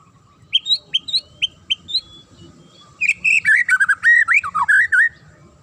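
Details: Magpie-robin giving a sharp song meant to make other birds answer and turn aggressive: a run of short whistled notes that rise quickly and repeat about twice a second, then a fast, varied warbling phrase of slurred whistles.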